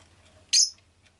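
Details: Rosy-faced lovebird uttering one sharp, high, screechy chirp that drops slightly in pitch, loud and clear above a quiet low hum.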